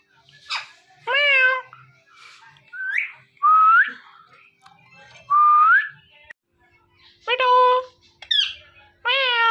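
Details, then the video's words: Indoor pair of ringneck parrots, male and female, during mating in front of a mirror, giving a mix of clear rising whistles and short harmonic meow-like calls, roughly one every two seconds, with quiet pauses between. "Ringneck Parrots Making Mating Sounds In Front Of Mirror"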